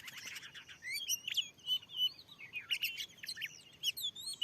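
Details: Fierce wild Oriental magpie-robin drawn by a lure in a new field; dense opening chatter gives way to separate clear whistles and sharp upslurred notes.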